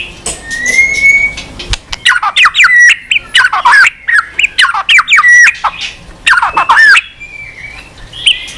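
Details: A white-rumped shama sings long and continuously on its perch. A drawn-out rising whistle opens a fast, varied series of slurred, harsh-edged notes and whistles in close succession.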